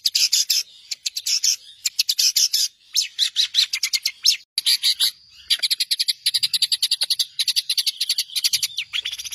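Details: Long-tailed shrike master song for training songbirds: long runs of very rapid, high, dry chips forming a continuous rattling chatter, broken by brief pauses.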